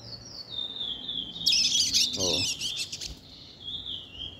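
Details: Caged chestnut-bellied seed finch chick about two months old learning to sing in a fast rhythm; continuous high twittering warble with quick chirps, briefly joined by a man's voice and a short burst of noise midway.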